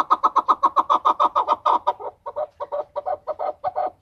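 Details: Male chukar partridge in an excited state, Tajikistan, 2020. Loud, rapid, evenly spaced chuck notes, almost four a second, soften slightly after a short gap and continue in a slower, uneven rhythm.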